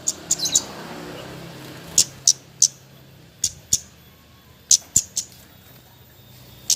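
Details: Javan white-eye in nyecret-style calling, played to rouse reluctant singers: sparse, isolated high sharp chips spaced about a second apart, over a soft rushing background noise.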